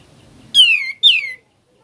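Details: Sooty-headed bulbul song in ngebren style: two loud, clear whistles, each sliding steeply downward, given in quick succession against a quiet background.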